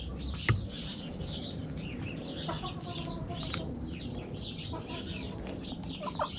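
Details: Backyard chickens in a coop, hens clucking with short harmonic notes amid a dense background of chirping small birds and low rumble.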